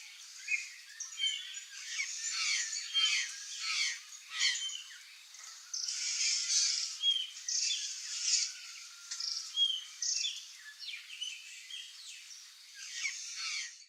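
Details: Curl-crested jay flock in the wild in Brazil, a corvid of Cerrado and Caatinga; long stretch of chattering, clicking and squawking calls in bursts, several birds overlapping throughout.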